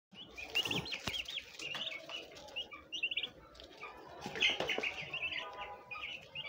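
Turkey poults give a steady stream of high, thin peeps that rise and fall, several chicks calling together, with occasional bursts of fluttering and scuffling.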